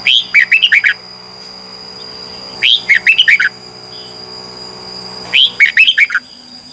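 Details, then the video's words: Red-whiskered bulbul giving morning competitive song: three evenly spaced phrases of quick, liquid whistled notes that drop and rise, each lasting under a second, with a faint continuous high tone. "Luyện chào mào hót sáng 2021 | chào mào hót đấu"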